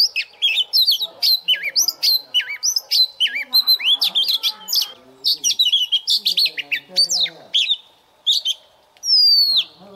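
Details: Recently wild-caught Oriental magpie-robin kept in a cage, warming up its voice at morning: quick varied whistles, curling upward slurs and crisp chips in rapid bursts, then a pause and a long descending whistle near the end.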